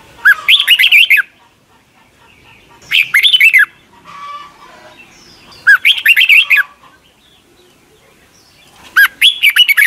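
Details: Red-whiskered bulbul song, Thailand, used each morning to teach young caged birds; four lively whistled phrases about three seconds apart, each a quick string of rising and dropping notes, with faint chatter between.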